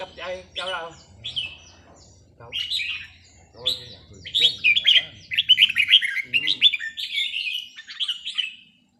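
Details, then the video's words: Caged red-whiskered bulbul at a training session on a free day: a man talks over the first half, then bright whistled phrases around the upper-middle range take over, chattering and warbling in quick bursts. "ซ้อมนกกรงหัวจุก วันว่างๆ"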